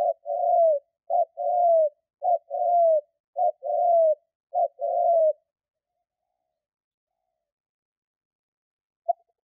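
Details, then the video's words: Spotted dove call used as a hunting lure: four evenly spaced low coo pairs, each a short note followed by a longer slightly falling coo, over about five seconds, then silence. "Chim cu gáy kích bổi nhanh nổi"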